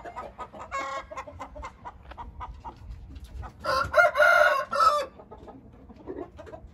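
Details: Hint rooster giving one hoarse, drawn-out crow in three rising and falling segments over about a second and a half, preceded by scattered clucks and soft calls from nearby fowl.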